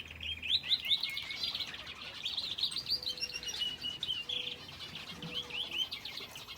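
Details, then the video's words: Several finches in an aviary with a canary, calling in quick bursts of sharp, high chirps and upslurred tweets that cluster into short runs, with a few faint lower tones beneath. "Aviary with finches and canary"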